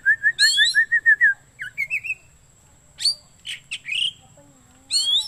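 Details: Oriental magpie-robin song for luring or training birds: a rapid run of about nine identical short whistles, then rising slurred notes, scattered sharp chips and a low drawn-out note, with a faint steady high tone.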